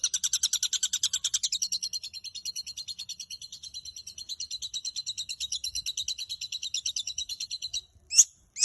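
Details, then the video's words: Caged long-tailed shrike singing a full song for training other birds: a steady rapid rattle of harsh buzzy notes, strong at the start and fading slightly, ending with two sharp isolated chips. "Burung cendet gacor full isian cocok untuk masteran"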